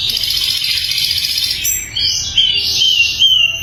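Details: Loud, clear sikatan londo flycatcher song meant for training other songbirds: a high, dense, rattling trill, then bright whistled notes that slide up and down.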